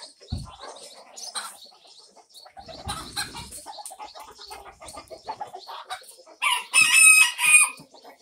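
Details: Mixed-breed barn chicken flock with an Australorp rooster, recorded May 9, 2024; soft scattered clucks and scratching, then a loud, drawn-out harmonic crow-like call near the end, with a thump early on.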